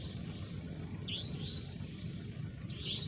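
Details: At sunrise in a mangrove forest, birds give two brief high swooping chirps about two seconds apart above a soft chorus, masked by a heavy continuous low-pitched rumble.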